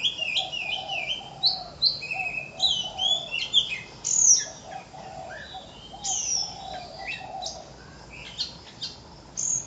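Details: An Oriental magpie-robin (Copsychus saularis) sings a rich, varied run of clear whistles and sweet warbled phrases, rising and falling with quick trills, over a faint low hum.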